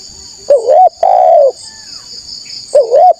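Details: Vocal spotted dove used to lure wild rivals: a wavering coo, then a drawn-out mellow coo sliding downward, and another wavering coo starting again, over a continuous high-pitched insect drone.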